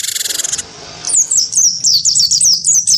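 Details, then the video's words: Gelatik batu of the wingko variety in fighting song against a white-eye; it opens with a pulsing buzzy rattle, then after a short gap a string of quick, high, downslurred chirps. "gelatik batu wingko gacor pancing bunyi tarung sama burung pleci"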